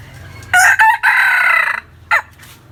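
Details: Hen calling: a loud harsh drawn-out squawking call, broken at the start and held for about a second, followed by a short sharp squawk, over a low background hum.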